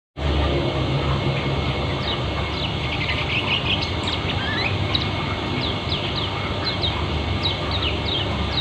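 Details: Lombok white-eye (kecial kuning) in a fast, dense chirping style called ngeriwik, used as training audio; quick high twittering notes over a steady hum and strong low-pitched background noise.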